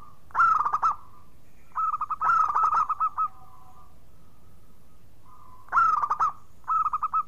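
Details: Local zebra dove singing vigorously as a lure to cure silent birds; loud rolling coo phrases alternate with runs of short repeated notes, with soft low hums in the pauses.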